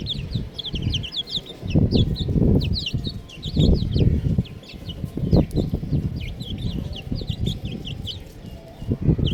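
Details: Baby chickens chirping: many short, high, downward-sliding peeps repeated rapidly throughout, several chicks overlapping, over loud low rumbling and thumping noise.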